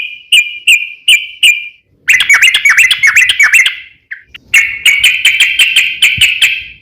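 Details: Sooty-headed bulbul (trucukan) in long rapid-fire 'ropel panjang' lure song meant to prompt other bulbuls to answer: four clear whistled notes, then a dense burst of quick chattering phrases, a short gap, and a sustained fast run of notes.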